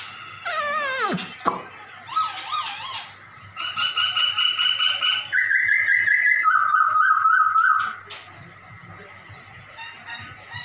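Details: Black-throated laughingthrush imitating a cat. A drawn-out, descending, mewing cat-like note opens the phrase, followed by wavering warbled notes, then long, steady, clear whistles held at several different pitches, each lasting about a second.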